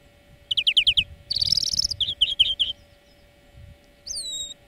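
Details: European greenfinch singing a training lesson for birds: quick series of rattling, twittering trills in bursts, a dense buzzy trill in the middle, then a few thin drawn-out whistled notes at the end.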